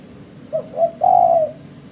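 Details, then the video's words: Spotted dove call used as a lure in bird trapping: two short soft coos followed by one long, drawn-out, slightly wavering low coo, clear over a faint steady background hum. "Suara Burung Terkuku"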